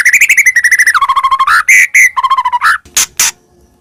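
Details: White-rumped shama in full song used to attract birds: a rapid, even trill that steps down in pitch, then ringing whistles and another trill, ending with harsh chacking notes.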